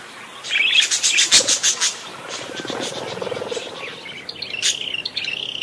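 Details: Parakeet singing busily, a lively stream of high chirps and twittering notes, with rapid clicky bursts early and brighter whistled warbles near the end.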